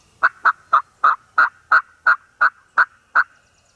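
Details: Eastern wild turkey in Mississippi hunting country giving a run of ten strong, raspy notes at a steady quick pace, with little other sound around it.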